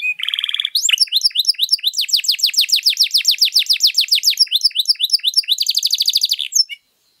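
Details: {'caption': 'Canary with a long, rich song used as a lure or tutor for other birds: opens with a low buzzy rattle, then a long run of fast rolled downward strokes ending in a bright high trill before silence.'}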